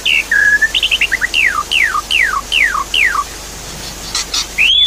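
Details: Javan pied starling lure song for a bird that has stopped singing: a flat whistle, quick chips, then five evenly spaced downward-sliding whistles about every half second, ending in a rising note, over running water.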